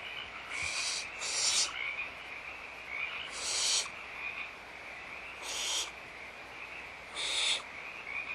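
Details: At feeding time, barn owls in their nest at Audubon Starr Ranch Sanctuary, morning of 16 March 2011, give scratchy hissing calls, a close pair followed by three single bursts spread irregularly across eight seconds.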